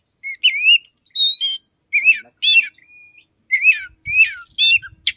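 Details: Oriental magpie-robin singing in the morning, its song including mimicry of a red-headed sunbird-like bird: clear whistled notes around bright rising and falling slurs, harmonic-rich phrases separated by short pauses, a long flat whistle midway.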